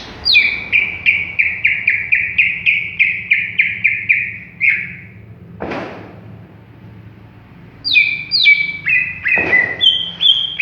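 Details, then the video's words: Greater green leafbird not yet singing fully: a steady string of short downslurred whistles, about two a second, a loud click, then higher paired whistles resuming, with another thump among them. "Cucak Ijo Bahan Belum Ngentrok"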